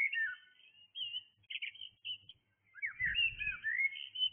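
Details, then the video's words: A blackbird singing in the early morning hours gives mellow, fluting whistled phrases that slide up and down, with a few brief twittery notes between them; a short low rumble comes in midway. "Blackbird singing"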